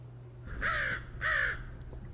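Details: An American Crow in Saint Joseph or Elkhart County, Indiana, gives two loud, harsh, grating caws about half a second apart, over a faint steady low hum.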